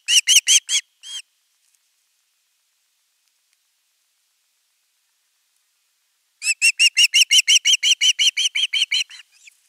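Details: Osprey at a nest, 10 August 2021, calling at length for fish: a quick burst of piercing chirps, a pause of about five seconds, then a longer rapid series of ringing notes that trails off at the end.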